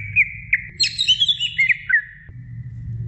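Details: Female greater green leafbird calling the male: a few evenly pitched whistled notes give way to a quick, twisting warble of slurred whistles before fading.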